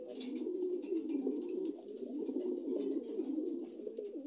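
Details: Low, gurgling coos from dun-coloured Lahore pigeons, new adults, flow on without a break in wavering, looping phrases, with soft ticks overhead.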